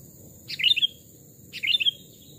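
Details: Sooty-headed bulbul, caged wild-caught bird aged two or three years, in a forest during a voice test: two short bubbly phrases of tumbling notes, dropping at the end, about a second apart.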